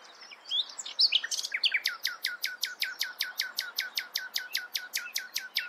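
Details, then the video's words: Nightingale in full song, a few varied opening notes followed by a long, very regular series of loud, sharp, downward-sweeping notes repeated about four times per second. "Nightingale sings. Nachtigall singt."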